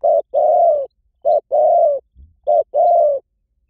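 A Spotted Dove coos in mellow pairs, a short note then a longer drawn-out one, repeated three times about every 1.2 seconds.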